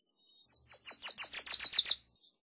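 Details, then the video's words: Single song of a Wilson's warbler: a brisk string of about ten bright, sharp, high notes, opening with a soft lead note and ending abruptly. "Wilson's Warbler Song! Wilson's Warbler Call! Sound!- Reinita De Wilson Canto - Cardellina Pusilla"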